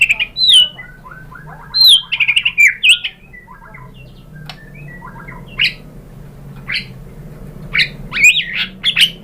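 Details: Murai batu, the white-rumped shama, in a lure recording to make other shamas sing: scattered whistled slurs, a short dry rattle, and sparse sharp chips separated by quiet gaps.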